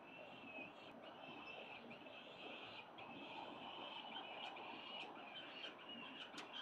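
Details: Wild peregrine falcon chicks at the 367 Collins building nest, filmed by a live nest camera on the morning of 25 October 2022 while out walking; harsh, drawn-out calls held near one pitch almost continuously, with a steady hum of city noise behind.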